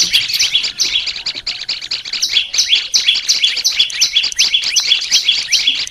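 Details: Song-training recording of an olive-backed tailorbird: rapid, steady series of shrill chirps, nearly three each second, with doubled high notes running unbroken from start to end.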